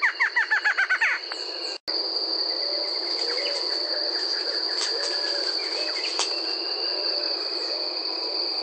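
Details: Brazilian Barred Antshrike giving a brief burst of quick, nasal, stuttering notes for under two seconds, followed by a sharp break and then only a high continuous insect hum and faint distant chirps.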